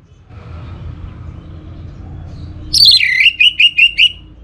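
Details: Anis merah, the Orange-headed thrush, in a lure song: a sharp, descending opening note followed by five evenly spaced, clear whistled notes, over faint low hum.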